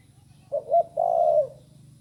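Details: Young spotted dove just learning to call: two short cooing notes followed by a longer, drawn-out coo that falls slightly at the end, over a low steady hum.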